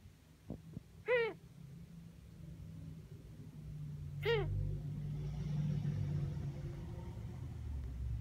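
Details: Sable, a nearly one-year-old female pet Ringneck (Barbary) dove, otherwise healthy, gives two short, nasal, wavering calls about three seconds apart, unlike a normal coo and increasingly frequent, over a steady low rumble and soft taps.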